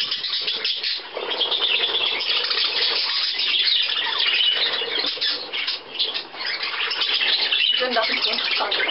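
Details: Budgerigars feeding on millet, 17 May 2010, visitors from Leer present; an unbroken wash of shrill chirruping and squawky notes from many birds, thinning briefly twice before swelling again.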